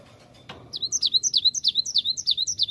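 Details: Cinereous tit song played as a lure to make wild birds answer: a quick run of bright, whistled two-note phrases, high then dropping, about four per second, after a single soft thump.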